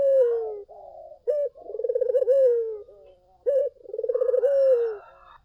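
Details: Collared dove calling steadily as a lure for other doves: a short abrupt coo, then a long throbbing coo ending in a falling smooth note, repeated twice at a relaxed pace.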